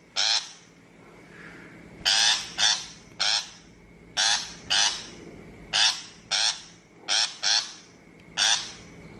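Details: Harsh shrike calls prepared for a trapping loudspeaker: rasping, broadband notes delivered singly or in quick pairs, about twelve in nine seconds, at irregular intervals over a faint steady hum.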